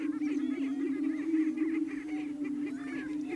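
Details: Greater prairie chickens displaying at a lek on a ranch near Wray, Yuma County, Colorado, April 14, with over 35 birds of both sexes present; a continuous low humming boom chorus with overlapping cackling and whooping calls above.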